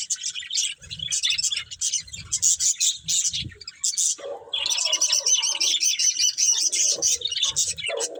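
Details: Budgies feeding on greens give quick bursts of high, buzzy chirps, pausing briefly, then resume a continuous excited twittering with some lower warbles.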